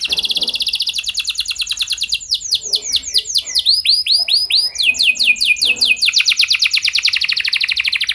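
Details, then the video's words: Long unbroken canary song meant to prompt other canaries to sing: rapid buzzy trills, rolling series of arching whistled notes and a return to a fast high trill, with faint background noise. "Kenari Gacor Lagu Mewah! Buat Kenari Mana Saja Bakalan Langsung Ikut Gacor Panjang"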